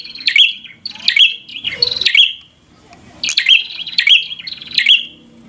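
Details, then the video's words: Bar-winged prinia giving provoking fighter song: strident high chirps in two bursts of three to four phrases, separated by a short quiet stretch, with soft background rumble. "Prenjak Gacor Full FIGHTER Bikin Prenjak Jadi Emosi Lawan"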